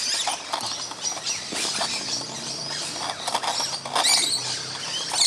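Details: Musk lorikeets feeding in a tree on a Christmas morning make a loud ruckus: dense, overlapping shrill screeches and chatter. Falling fruit patters throughout.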